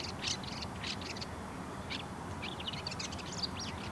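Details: Courtship song of a bull-headed shrike, a jumble of quick high scratchy notes and twittering bursts, then a pause before a fresh cluster of chattering phrases over a soft outdoor hiss.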